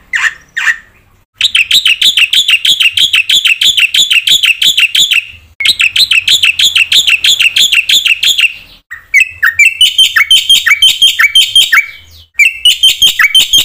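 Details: Black-winged myna singing actively with varied notes to provoke other mynas: long, rapid bursts of ringing repeated notes, broken by short pauses, then varied, sharply inflected whistled phrases.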